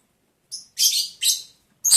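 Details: Lovebirds during mating in the breeding season, day 11 of breeding progress, recorded July 11, 2022: three shrill, harsh chirps in quick succession, each under half a second, with a fourth starting at the end, in a quiet room.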